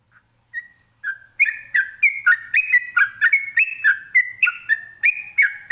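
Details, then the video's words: Trucukan, the sooty-headed bulbul, delivering a ropelan song to draw answers from other birds: a few opening whistles, then a fast, dense series of bright rising and falling notes, nearly four a second. "ini suara Trucukan ropelan bikin nyaut burung lainya"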